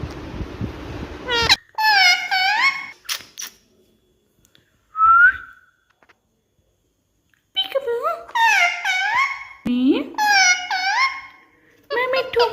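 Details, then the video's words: Pet Indian ringneck (rose-ringed parakeet) talking to its reflection in a mirror indoors: loud bursts of harmonic, speech-like squawked phrases separated by pauses, with one short rising whistled note midway, in an otherwise quiet room. "Non -Stop Talking Parrot 🦜 Talking To Everything"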